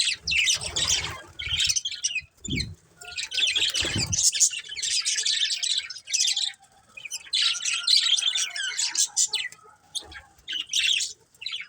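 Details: Continuous budgerigar chatter: rapid, buzzy, high-pitched warbles in long runs, interrupted by a few low knocks or handling noises early on.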